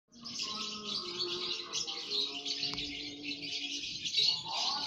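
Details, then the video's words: Colony of lovebirds in an aviary all chattering at once: a dense continuous wash of high shrill squeaks and chirps, with lower tonal notes running underneath. "Lovebird koloni ngekek semua"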